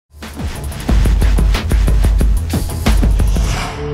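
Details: Loud, bass-heavy music with sharp percussive hits fills the recording. No animal sounds can be picked out.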